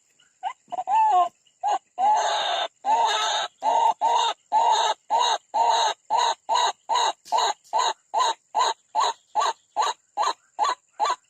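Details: White-breasted waterhen attacking a rival near a bird trap: after a few scattered harsh notes, a steady run of about twenty loud, croaking calls follows, evenly paced a little over two per second.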